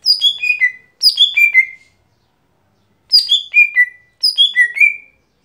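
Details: Gotri, the lesser green leafbird, delivering its daily song: four rapid descending phrases of clear whistled notes, two close together, a three-second gap, then two more, the last ending in a slight upward lilt.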